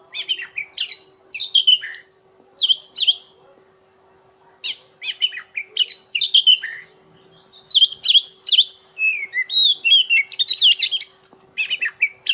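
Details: Oriental magpie-robin pouring out a rich, varied song of rapid high whistles, sweeps and sharp chips, phrases separated by short pauses, growing denser and faster toward the end; faint steady hum underneath.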